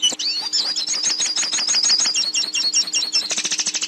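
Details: Hooded siskin song meant for teaching a captive bird to sing: a sweet rising whistle, then a long, fast string of high chattering twitters, closing with a dry rapid rattle, over faint hum.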